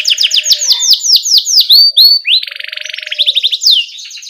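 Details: Canary singing 'ngerol' with 'cuit cuit' as a lure for young canaries: a series of clear falling whistled swoops about four per second, a short dense buzz, then quick rising chirps.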